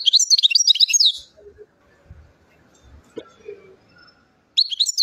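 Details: European goldfinch singing in Chouala, Mendes district, Relizane province, Algeria: a rapid tumbling burst of twittering, trilled notes, then a quiet gap with faint low thuds, and a second twittering phrase starting near the end.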